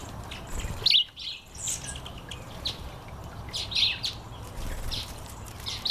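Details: Red-collared widowbird in the breeding season giving high, slightly buzzy chirps roughly once a second, some doubled, above low outdoor background rumble.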